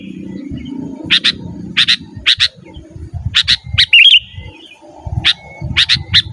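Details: Sooty-headed bulbul in energetic, lively song used to lure wild birds and to tutor caged bulbuls, challenging a rival: short paired chattering notes repeated in quick bursts, one brief whistled slur, with low rumbling background noise.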